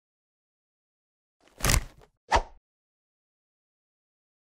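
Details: Two dull knocks or thuds about half a second apart, with silence before and after and no animal voice.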